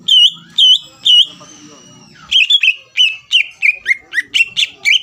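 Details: Greater green leafbird song used to provoke rival birds into answering: loud clear whistled notes repeated about twice a second, then a long thin whistle and a fast series of sharp chirping phrases, with faint low background murmur.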